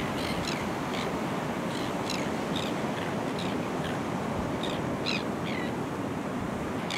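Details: Kelp gulls on a coastal rock platform and reef at Boat Harbour, Kurnell, NSW, Australia, in early September 2020, give short, harsh, high calls in quick irregular bursts, roughly one or two a second, over steady surf and wind roar.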